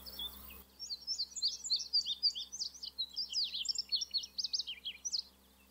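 An indigo bunting sings a bright, hurried string of high, sweet notes, many of them in quick pairs, for about four seconds over a faint low hum.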